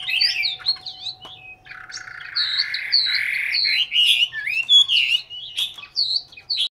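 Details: In Hanoi, Vietnam, a caged Chinese hwamei delivers sustained, varied song of warbling, looping whistles and quick high flourishes, phrases running together almost continuously before a brief stop at the end.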